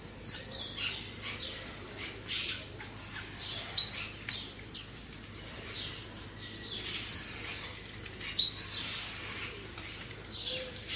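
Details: Blue-black grassquits singing as a flock for caged-bird training, giving a steady stream of high buzzy falling sweeps with short sharp accents, plus an occasional faint low note.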